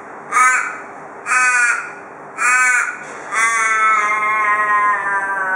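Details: Perth, Australia: a wary Australian raven visiting a porch delivers the local "cock a doodle doo" call, three harsh caws about a second apart, then a long drawn-out wailing final note lasting around two seconds that fades at the end.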